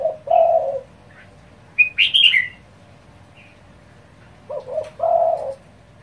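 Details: Spotted dove giving fast calls to incite other doves: a mellow low coo, then a burst of high chirping from another bird, then another stuttered coo ending in a long hoot.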